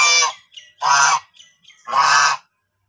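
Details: Farm-kept white domestic goose, one of a mated pair that has begun laying eggs, gives three loud, harsh, nasal honks about one second apart, with a few softer grunting notes between them.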